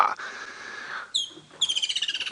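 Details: Woodland Kingfisher, perched out in the open after chasing away a Laughing Dove, calling very loudly on a sunrise safari drive on 1 February 2017. One sharp high note, then a rapid, slightly descending trill of about fourteen pulses, after a steady lower hum.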